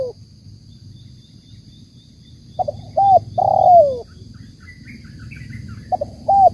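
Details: Spotted dove, known locally as tekukur, cooing in phrases of short notes followed by a long falling coo, then starting again, with faint chirps of other birds and low rumbling noise behind.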